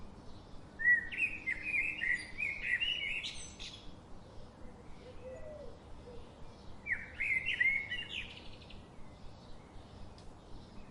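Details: Birds that visit a garden every day chirping: two bursts of bright, quick, warbling twitters, one near the start and one after a pause, over a steady hiss and faint low background noise.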